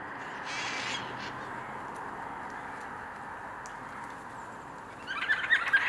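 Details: Yellow-tailed black cockatoos, a flock of about fifty, cracking open walnuts in a walnut grove in Northern Tasmania, Australia, in mid winter, filmed with a Canon 5D Mark IV; drawn-out wailing calls blend into a steady harsh chorus, louder overlapping cries at the end.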